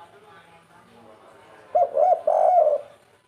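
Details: Local spotted dove of the prized, rare 'kuk 3' style: one short, low, hollow cooing phrase of three notes with a longer, drawn-out final note, following near silence with faint background noise.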